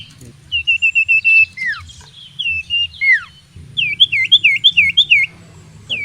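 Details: Common iora song meant to provoke rivals into fighting: a string of even whistled notes, a couple of long downslurred whistles, then a rapid run of looping rising whistles, with low steady hum behind.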